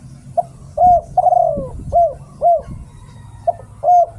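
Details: Spotted dove decoy song from Thailand: a brief soft note, then a long drawn coo sliding downward, followed by short arched coos repeated about every half second, over a low steady hum.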